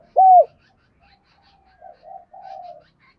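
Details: Spotted dove cooing, played to prompt a caged dove to call. One loud, short, level coo is followed by a pause, then a string of softer, lower coos and a drawn-out final note, all in a quiet setting.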